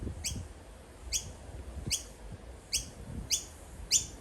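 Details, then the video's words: Young Noisy miner, an Australian bird, calling its parent over and over: six sharp, rising squeaky chirps spaced about two-thirds of a second apart against a quiet, faintly rumbling background. "The angry Noisy miner bird that the baby bird calls all the time"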